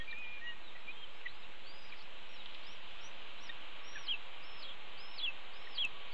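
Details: Red-tailed hawk nestlings on a nest camera at 10 am on 30 May 2013, calling for their parents as the mother arrives with a pigeon to feed them. Faint, thin whistled downslurred calls repeat irregularly over steady background hiss.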